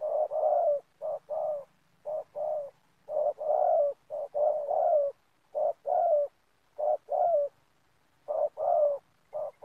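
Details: Spotted dove calling, used as a lure for trapping doves at an oil palm plantation: low, soft hollow coos in short clusters of two or three, repeated steadily throughout with brief gaps, quiet background.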